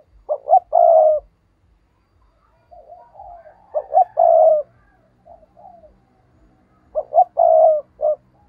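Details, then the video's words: Spotted dove serving as a lure for rival birds, calling three times with a clipped double note leading into a long husky coo, softer murmured coos between phrases, a faint low hum behind. "Chim cu gáy mồi chuẩn thúc kích bổi nhanh nổi hiệu quả ll Chim cu mồi"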